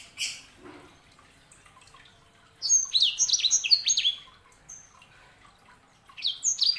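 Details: Sanger, a canary hybrid, delivers an opening chirp, then a lively burst of quick, high descending whistled notes, pausing before another short flurry at the end.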